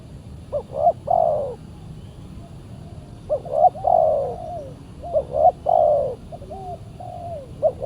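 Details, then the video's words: Fierce wild spotted dove answering a decoy during a luring session; spaced cooing phrases, double short notes then a long swelling coo, separated by soft trailing hoots and low background noise. "PIKAT BURUNG TEKUKUR D GIMBALIN BL SUPER g4Rang"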